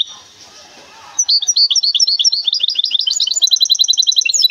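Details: Caged goldfinch hybrid from Temara: a second of faint hiss, then a rapid, bright twittering song of high chirps that speeds into a dense, trilled run to the end.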